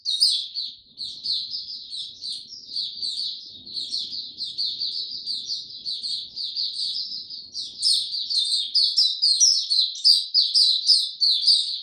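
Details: White-eye on 26 March 2022, warm and very humid: a long, steady stream of rapid, high chirps and twitters, with faint low background hum early on, swelling to a louder, fuller warble after eight seconds.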